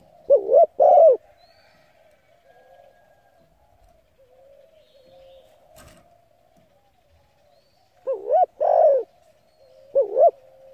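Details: Coos of a spotted dove meant to lure and excite decoy birds: a two-part phrase, a long gap with low humming and a brief click, then another full phrase and the start of a third.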